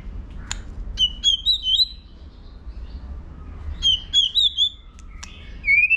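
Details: White-rumped shama stimulated to sing for competition, flicking its tail; crisp high whistled phrases of rapid wavering notes, in two bursts separated by a short pause, ending on a rising whistle.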